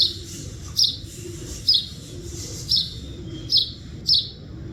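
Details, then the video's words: Small wild bird (chidiya) heard outdoors giving bright, clipped high chirps spaced just under a second apart, six calls over a faint low rumble. "Chidiya Voice Sound | Chidiya Sound Effect | Chidiya Voice Video | Chidiya Original Video"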